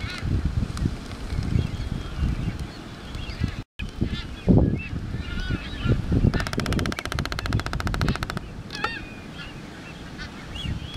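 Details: Waved (Galapagos) albatrosses in courtship display on the Galapagos Islands: hoarse honking calls and rapid wooden bill-clattering lasting about two seconds, over a heavy rumble of wind.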